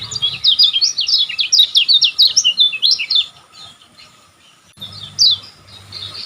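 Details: Energetic Lombok lemon-bellied white-eye used for training caged birds; a quick run of high, sweeping twittered notes for about three seconds, a quiet gap, then a single bright chirp.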